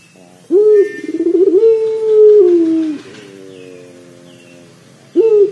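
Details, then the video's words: Pelung dove cooing, used to prompt another dove to start calling: a long loud rolling coo with a bubbling start and steady drawn-out tone, falling at the end, followed by a quieter trailing note and a new coo beginning. "PANCINGAN PUTER PELUNG AGAR CEPAT BUNYI"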